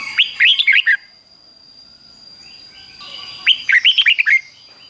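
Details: Red-whiskered bulbul in a cage repeating its doubled 'beun' phrase, fik-jik-fok. There are two nearly identical bursts of bubbly, liquid whistles about three seconds apart, and a thin electrical whine runs beneath.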